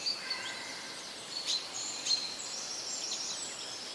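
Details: Birds singing in nature: thin, high whistled notes and brief sharp chirps scattered over four seconds, several voices overlapping softly against a faint steady background hiss.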